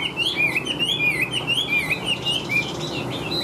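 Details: Singing Chinese hwamei, caged, large-bodied with yellow legs and bill, flicking its tail: continuous fluid whistled warbling, quick slurred notes swooping up and down without a break.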